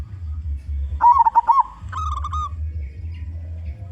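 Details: Zebra dove, a loud local bird used to lure others of its kind, gives one short trilled coo phrase then a brief clipped follow-up over a steady low rumbling hum.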